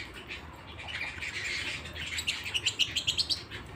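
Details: Canary at home: a soft twittering start building into a crisp trill of about a dozen sharp, evenly spaced notes repeated several times a second.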